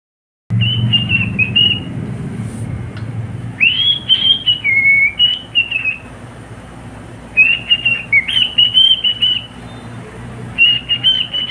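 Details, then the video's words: Pet cockatiel singing: bursts of clear whistled phrases with rising and falling slurs and short warbles, separated by pauses of a second or more, over a low steady rumble like traffic. "COCKATIEL singing beautiful song"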